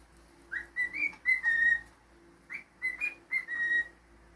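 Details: Pet cockatiel whistling two short phrases about two seconds apart, each opening with a quick rising note and then running into clear, steady, bright tones, with quiet room background in between.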